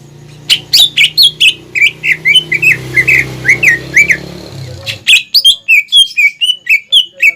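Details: Captive greater green leafbird song used to train young birds: a rapid series of sharp, slurred whistled notes, many per second, over a low rumbling background that fades halfway, then continues clean.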